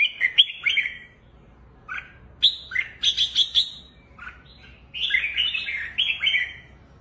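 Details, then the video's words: Red-whiskered bulbul singing in the 'lân' style while hopping on its perch and flaring its wings: loud, bright phrases of rapid whistled and chattering notes in short bursts, separated by brief pauses, against a quiet background. "chào mào siêu lân"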